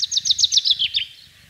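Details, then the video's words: Common chaffinch in spring, central French countryside, 24 March 2012, giving a short song of about eight crisp repeated notes that drop in pitch and close with a brief final twist. "PINSON des Arbres/Chants au Printemps"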